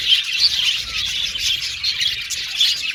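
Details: Budgerigars in a colony aviary keep up lively, high chirping, with rapid overlapping tweets and a couple of bright squeaky whistles over a constant chatter.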